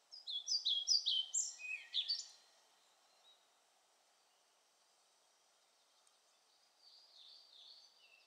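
A European pied flycatcher sings a quick two-second phrase of bright, high, slightly descending notes, then a softer, shorter phrase follows after a pause, over faint background hum.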